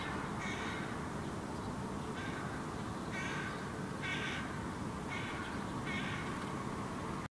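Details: A hooded crow fledgling on the ground in Helsinki, Finland, in July 2017 gives six harsh, nasal caws toward its parent, roughly one a second, over a steady low rumble of wind or distant traffic.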